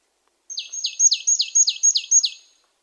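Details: Marsh tit uttering a rapid series of seven crisp notes, each dropping steeply in pitch from a thin high start into a lower rasping end, steady rhythm, nothing else audible.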